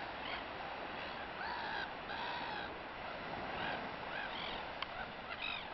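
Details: Gulls gather to feed, giving drawn-out, mewing calls that arch up and then down. Several birds call in turn against a constant rushing background.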